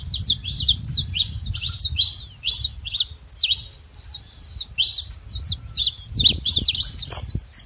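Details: Saffron finches making noise together, quick high chips and sharp slurred notes pouring out steadily, over a low continuous rumble.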